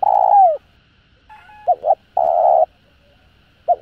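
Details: Spotted dove coo meant to stir other doves: a long descending note, then a faint thin tone, paired hoots and a flat, sustained husky coo, ending on one short hoot.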